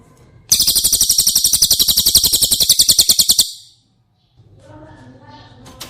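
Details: Cililin song for teaching caged White-rumped shamas: a shrill, fast trill of evenly pulsed high notes for three seconds, then near silence with faint low murmuring.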